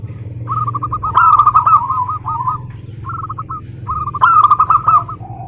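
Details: Zebra dove singing: quick staccato cooing trills, with two loud rolling bursts, and a low hum in the background.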